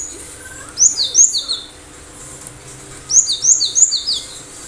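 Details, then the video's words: Cinereous tit in full song, played so other birds respond and imitate: two bursts of sharp, high whistled notes sliding downward, each phrase of about five notes, separated by a two-second pause. "Gelatik batu gacor dalam hitungan detik"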